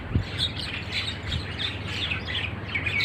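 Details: Wild starlings in a date palm garden in Oman, described as happy: bright chirps and short twittering notes overlap steadily, several birds calling at once over a low, constant background rumble.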